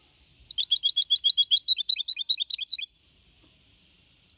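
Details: Clean singing from a young goldfinch hybrid, 4.5 months old, Malaga copy style, 2021: over two seconds of dense, rapid, high chattering trills, then silence and a short new start.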